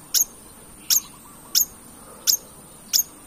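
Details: Long-tailed shrike lure recording to provoke singing: five very high, sharp, clipped notes spaced roughly every 0.7 seconds over a steady faint whine.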